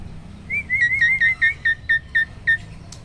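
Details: Caged hybrid of Asian pied starling and black-winged starling giving roll tembak song: a steady string of about ten clear whistled notes, evenly spaced and slightly falling, over faint low background hum.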